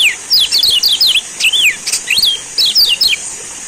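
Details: Lure song of a Lombok yellow white-eye, kecial kuning, meant to prompt silent birds to sing: loud, high, rapid phrases of rising and falling whistled slurs strung closely together, with brief pauses between bursts.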